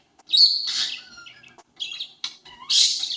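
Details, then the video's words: Pet parakeet imitating the noises of a conure: harsh, high squawks in two loud bursts separated by softer scratchy chatter and brief clicks. "Parakeet making conure noises"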